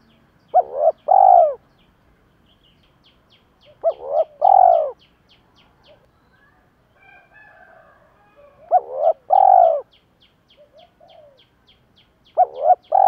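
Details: Spotted dove, male and female, cooing to stir up other doves as a decoy for daily training: a three-part low hooting phrase repeated about every four seconds, with faint regular ticking in between.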